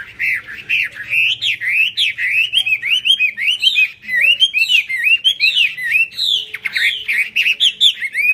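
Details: Chinese hwamei singing with its tail fanned out and wings in eagle-wing display: fast, energetic run of looping whistled notes and buzzy trills, repeated in quick bursts, growing denser toward the end.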